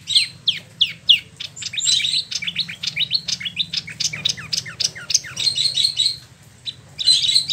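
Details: Captive spot-throated babbler in Bandung, Indonesia, imported from mainland China and Vietnam, pours out a dense, fast ngeroll song of sharp whistled slurs and chips with few pauses, alongside a faint low hum.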